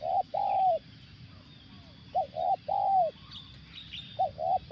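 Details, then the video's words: Spotted dove, called tekukur, cooing during a luring session with a live decoy at a factory site: low, hollow coos in short groups, a brief note then a longer drawn-out one, over steady background hum. "pemikat tekukur"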